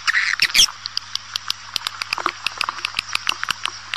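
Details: Swiftlet calling sound used to attract swiftlets: a brief chirpy twitter early on, then sparse sharp dry clicks scattered irregularly over a steady low electrical hum.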